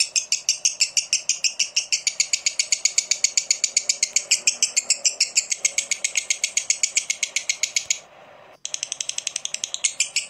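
A lovebird's long, shrill chattering trill: rapid squeaky notes, about four a second, running on without pause, then a short break before it resumes.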